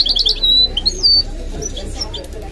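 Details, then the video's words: Goldfinch-canary mule in song, starting with a fast, bright trill and a held high whistle, then a couple of sliding notes before fading into soft twitters. "The maestro's singing is amazing - the goldfinch hybrid"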